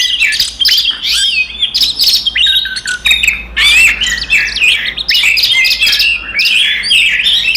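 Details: Oriental magpie-robin in combative song meant to rile up other magpie-robins: high, scratchy chatter and quick whistled sweeps in packed phrases, separated by brief gaps, with a faint low hum beneath.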